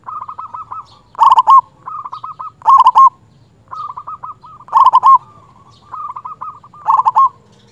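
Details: Loud local zebra dove song meant to call out a rival: softer beaded coo runs alternate with strong, stuttering, rolling phrases, about four loud bursts over eight seconds.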